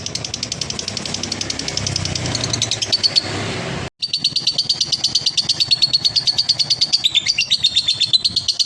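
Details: Male lovebird singing a konslet-style ngekek used as therapy for other lovebirds: a rapid, high, buzzy chatter of evenly spaced pulses, briefly cut by a short gap midway, with low rumbling background noise early on.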